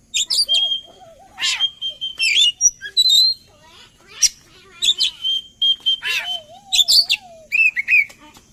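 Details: Lure song of an Oriental magpie-robin meant to make birds sing along, packed with rapid varied phrases: scratchy bursts, short high whistles, chattering notes and a low wavering whistled slur near the end.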